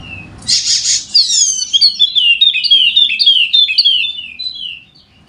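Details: Wallacean white-eye, the golden-headed form endemic to Sumbawa in NTB, Indonesia, singing energetically to prompt lazy birds to sing: a fast chattering run of high, sweet, descending twittered notes after a brief buzzy burst, fading out.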